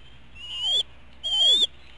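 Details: Two high, thin whistled calls, each rising then levelling off, from eaglets at the Hanover, Pennsylvania nest at dinner time, 5 April 2017, with faint low hum behind.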